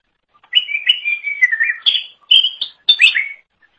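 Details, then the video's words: Greater green leafbird in active song, used for tutoring songbirds: a quick run of high whistled, warbling phrases sliding up and down, broken into three bursts with short pauses. "Kicauan Super Cucak Ijo Gacor Untuk Masteran"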